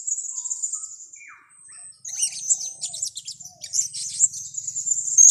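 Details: Blue-crowned hanging parrot, a recording meant to lure birds into traps: a soft high twitter at first, then a busy stream of shrill, sharp chirps and squeaks that grows louder toward the end.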